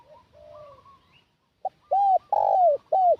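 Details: Used as a decoy for wild doves, this spotted dove call starts with soft distant coos, a pause, then a brief note and three loud curved coos with a long middle note.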